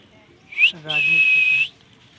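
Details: Pet ringneck parrot chirping: a sharp rising chirp, then a long level high whistle held for about three-quarters of a second, with a brief low voiced sound between them.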